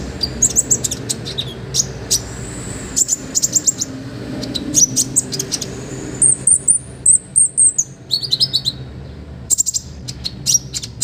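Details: Olive-backed sunbird in energetic song for training other songbirds: rapid high chips, a run of thin sustained whistles, then short sharp notes, with a low hum underneath.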